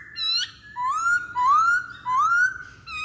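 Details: Masked laughingthrush lure song: three long rising whistles at a slow, steady pace.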